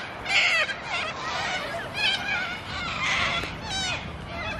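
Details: Cockatoos in Australia, common and half-tame like city pigeons, screech in harsh, raspy bursts, several overlapping calls over a few seconds, with faint background noise.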